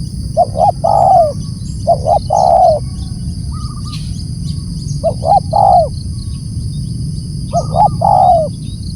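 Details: Loud calls of a spotted dove, a phrase of two brief coos and a longer falling coo repeated four times at roughly two- to three-second intervals, with a faint shorter note between phrases and constant low rumble behind.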